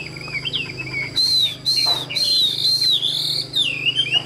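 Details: Tame caged Chinese hwamei singing loud, clear whistled phrases that slide and dip high in pitch, broken by short harsh bursts, with a steady thin whine in the background.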